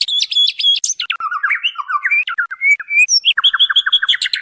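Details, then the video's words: Female white-rumped shama calling to the male, a lure recording for training birds: rapid clipped high notes, then a run of falling whistled slurs, ending in quick repeated two-tone chips, clean background. "SUARA MURAI BATU BETINA MEMANGGIL JANTAN"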